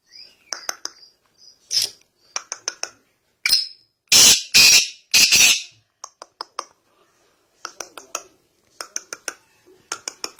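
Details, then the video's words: Black francolin held in the hand, calling in a small room: bursts of sharp clicking ticks in quick runs, broken by several loud harsh rasping blasts in the middle, then more ticking series to the end. "Hath Main Pakara howa Teetar bolta howa"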